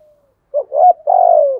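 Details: Spotted dove calling song for training decoy doves: a single soft burry phrase, a couple of short hoots running into a long smooth coo that slowly sinks at the end.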